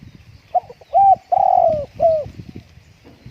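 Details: Spotted dove kept at home on a strong-wind day, cooing: a short low note then three mellow, slightly downslurred coos, the middle one longest, over faint low rumble.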